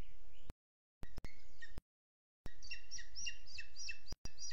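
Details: Booted eagle on a Sierra de Guadarrama National Park webcam, morning of 12 June 2022: after a thin drawn-out whistle and gaps, a quick series of bright, squeaky, slurred notes follows, with low rumbling background.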